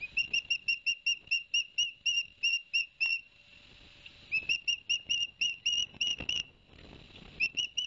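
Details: Ospreys at Barnegat Light, New Jersey, on 11 September 2021, the male bringing two fish for the young: long runs of crisp, evenly repeated whistled chips, broken by a brief pause with soft rushing noise.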